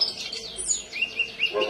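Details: Common iora in full song, with mimicked phrases of another songbird: a quick series of high, sweet whistled notes, several short rising slurs repeated about every fifth of a second, over a murmuring background.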